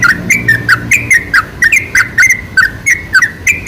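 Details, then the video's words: Sooty-headed bulbul song played as a lure for other bulbuls, a steady stream of bubbly, slightly whistled notes repeated quickly and loudly throughout. "MUSTAHIL KALAU TIDAK IKUT GACOR PANCINGAN SUARA TRUCUK TERBAIK"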